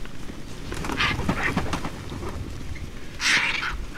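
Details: Hundreds of vultures feeding on a culled elephant's leg at a vulture restaurant in South Africa, alongside marabou storks, warthogs and jackals, give harsh, rasping hisses in three short bursts, loudest near the end, over a low rumble.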